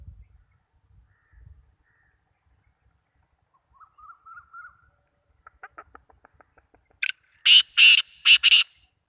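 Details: Black francolin in Sindh, Pakistan: a few soft, faint notes and a short clicking run, then a burst of loud, harsh, grating calls in quick succession near the end.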